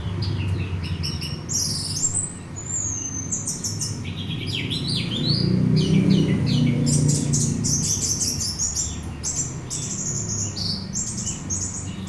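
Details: Orange-headed thrush singing, recording meant to stir another bird to sing: rapid mix of high sweeping whistles, chirps and buzzy notes in quick succession, with a constant low background hum.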